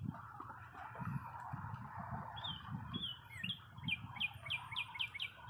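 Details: Springtime birdsong at a parking lot following a long cold spell, short bright chirps coming in a quickening run toward the end, over a constant low rumble and murmuring background noise.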